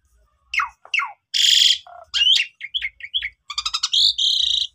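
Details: Asian pied starling song played to provoke sulking starlings that have stopped singing: sharp downslurred notes, a hissing harsh burst, a low note, then chattering chips and a rattling buzz ending in a steady buzzy tone.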